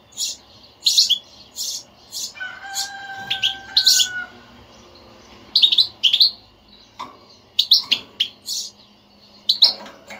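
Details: European goldfinch batbata, a motivating song for a goldfinch that will not sing: repeated short sharp twittering chirps in small clusters across ten seconds, with a pair of level tonal hums near the start.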